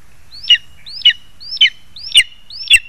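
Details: Food being brought to the eaglet by its lesser spotted eagle parents, 2 August 2020: five rising-then-dropping yelps about half a second apart, the last two with soft low knocks.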